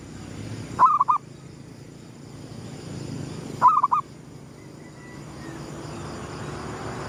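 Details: Zebra dove cooing at sunrise in the gedong mengo style, used as a trapping lure: two short, mid-pitched trilled coo phrases about three seconds apart, over a steady background hum and a faint high tone.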